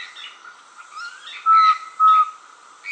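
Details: Brazilian least pygmy owl singing: two loud, pure whistled toots a little over half a second apart, with scratchy chirps from other birds around them.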